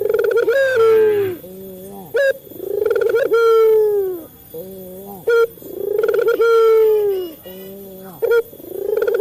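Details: Male local dove cooing, used to train captive doves to call quickly: loud, low, hollow coos, each swelling then falling slightly, in a repeated rolling pattern with short throaty notes between phrases.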